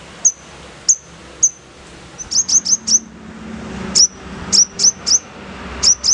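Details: Sogon (little spiderhunter) singing rough 'nembak kasar' tutoring material for caged birds: sharp high chirps, first spaced, then rapid runs of three or four, then paired notes, over low hum.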